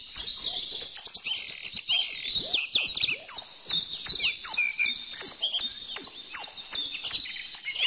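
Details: Birdsong from a dense chorus of several birds: rapid high chirps, trills and downward-sweeping whistles overlapping continuously, with quick tweets repeating at an irregular pace throughout.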